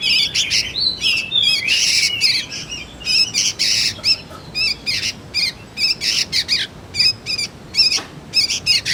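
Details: Juvenile sooty-headed bulbul, recorded for luring and tutoring magpie-robins, giving dense runs of harsh, raspy chirps and scratchy ladder-like notes in rapid bursts, separated by brief gaps, with no other clear sounds.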